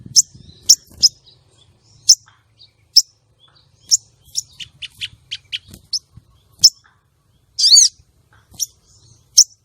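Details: Female common iora call meant to arouse male birds kept for song contests and to lure wild males: a steady run of sharp, high chips, some quick descending notes, and one loud, harsh rasping burst near the end.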